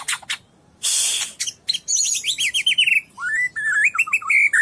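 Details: White-rumped shama, a 12-month-old Medan bird with a loud voice, gives a harsh rasping burst, then fast sequences of downward slurred whistles and a lower run of varied fluty notes.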